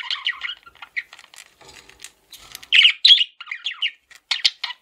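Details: A male parakeet, kept as a pet, warbles and chatters continuously with harsh squawks, clicks and quick chirps of varying loudness.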